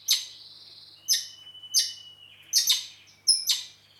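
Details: Red-rumped parakeet recorded in Heraklion, Crete, giving harsh, scratchy chirps joined by thin sustained whistled tones, with five or six bursts spaced unevenly over four seconds against a faint low hum.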